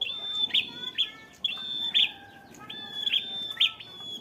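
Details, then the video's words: Bar-winged prinia, a fighter bird, holding its song on one steady note: drawn-out high whistles, each ending in bright staccato chips, repeated roughly every half to one second. "prenjak kepala merah fighter ngalun mewah berwibawa nancep satu titik"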